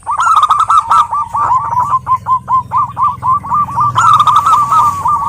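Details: A female local perkutut (zebra dove) calling a male: loud, continuous rhythmic cooing, each note short and slightly downward-bent, paced steadily, with a brighter phrase near the end.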